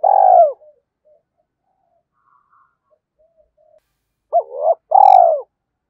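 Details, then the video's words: Spotted dove calling as a decoy lure. A rough falling coo opens, a quiet stretch follows, then a wavering double hoot and another long grating coo. "tiếng chim cu gáy kích bổi hiệu quả"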